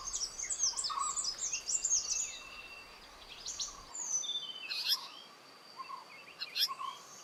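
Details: Oriental dwarf kingfishers courting in the morning in India's Western Ghats during monsoon season give thin, very high squeaky notes in quick bursts, with faint insect hum and other forest birds behind.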